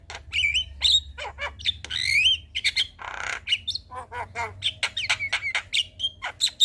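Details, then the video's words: Black-winged starling song recorded in the evening to train young birds: rapid, varied sequence of clicks, bent whistles, rising slurs and a harsh rasping burst, dense and lively, over a low hum. "Masteran Jalak Kebo Sore Hari Bikin Burung Jalak Muda Cepat Gacor"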